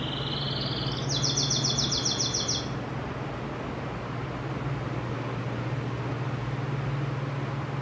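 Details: A siskin-canary hybrid (pintagol) singing like a Belgian canary: a quick, high, trilled run of rapid repeated notes for about three seconds, then silence over a steady low hum.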